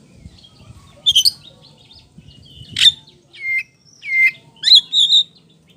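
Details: Oriental magpie-robin in loud, full song, used as a lure to make other birds answer: a few clear whistled notes, some sliding downward, mixed with sharp high chips, spaced by short pauses over faint low background noise.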